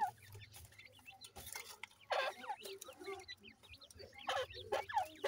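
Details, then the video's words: A brood of francolin (teetar) chicks gives thin, high, descending peeps in loose bursts, with a few louder rasping notes and low background noise. "mere jani teetar k khobsorat bachay,bhura titar k chicks"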